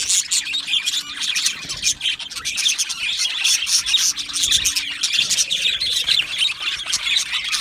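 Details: A colony of Australian budgies chirping in an aviary on 12 July 2025. Many birds trill and tweet together in a busy, high, rapid chatter, with sharp chirps breaking through and a faint low hum underneath.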